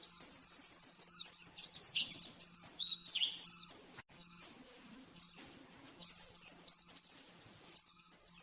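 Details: Oriental white-eye master song, the rapid 'nembak-nembak' style used to train caged birds: bursts of very high, fast twittering and sharp chirps, broken by short pauses, with a faint low hum underneath.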